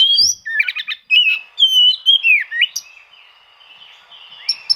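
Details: Oriental magpie-robin song aimed at rivals, for drawing out birds that rarely sing: a burst of buzzy chatter, clear falling whistles, then softer trailing notes and a few sharp chips.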